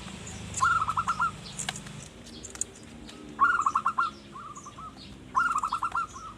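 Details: Zebra dove singing vigorously, kept to lure wild forest birds; three trilled phrases roughly 2.5 seconds apart, each a rapid run of bubbly cooing notes ending in softer ones, with steady background hum and faint clicks.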